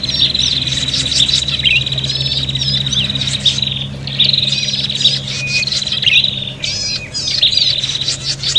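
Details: Prinia fighting chatter for luring birds: loud buzzy trills running for several seconds, broken by short pauses and scratchy calls, with a low hum throughout.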